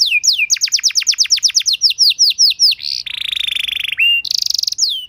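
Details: Canary master song for teaching other canaries: fast series of descending sweeps slowing gradually, then a low buzzing rattle and a high buzzy note, followed by quick trills.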